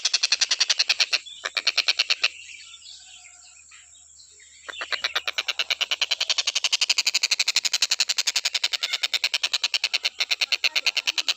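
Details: Nonstop calling of a stork-billed kingfisher, used as a teaching recording for other birds: a long, rapid run of sharp, harsh pulses, broken once by a short gap, then continuing steadily to the end.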